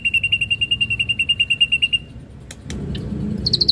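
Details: Ashy drongo in lively song, part of a lure recording with rich inserted phrases: about two seconds of rapid, even, high trilled notes, roughly eight per second, then scattered clicks and a short burst of higher notes.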